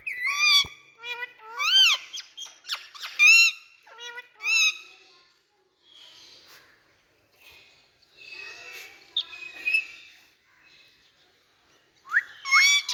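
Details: Ringneck or Indian parrot screeching repeatedly: harsh, bending squawks in quick clusters at the start, quieter chatter through the middle, then a loud upswept shriek at the end.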